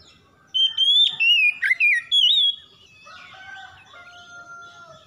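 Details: Kacer, the Oriental magpie-robin, singing 'gacor' for daily therapy: a clear whistled opening, quick slurred descending notes, then softer, lower steady tones and faint chatter.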